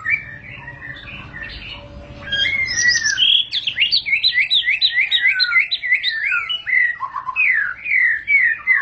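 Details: A murai batu, the white-rumped shama, singing ngentrok: soft whistles at first, then a loud varied burst of high, twisting, rapidly changing notes and slurred whistles running on without pause.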